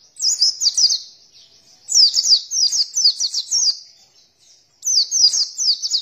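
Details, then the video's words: Oriental white-eye twittering song used as training playback to get birds singing: three clipped phrases of rapid, high, downslurred chirps, each about a second long with short silences between. "Masteran suara pancingan burung pleci agar buka paruh"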